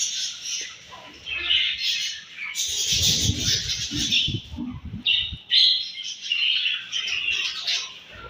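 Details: Budgerigars at morning feeding, chattering high chirps and squawks with a loud burst of chorus, accompanied by a stretch of low rustling or pecking sounds.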